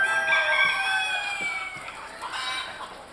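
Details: Buff Orpington bantam rooster crowing at a small-animal show in Etziken, Switzerland, late January 2012: a hoarse, harmonic-rich crow that falls slowly in pitch over about three seconds.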